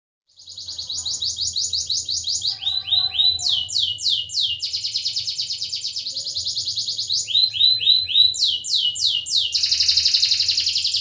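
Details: Actively singing canary used to prompt silent canaries into song: long rolling trills of rapid repeated notes, switching between high and mid-pitched phrases, ending in a buzzy high trill.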